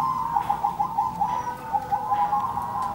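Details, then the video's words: Zebra dove song in call-and-answer: evenly spaced staccato coos about every fifth of a second, forming a bright, bead-like trill, with a second voice overlapping more quietly. "suara burung perkutut nan merdu"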